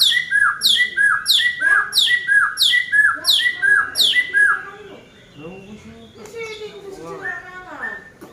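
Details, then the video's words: Oriental magpie-robin, a caged songbird, singing after dry sauna grooming: a rhythmic series of sharp descending whistled notes about three per second, then softer varied warbling phrases and rising slurred notes toward the end. "Burung Murai Batu seri F setelah di sauna kering"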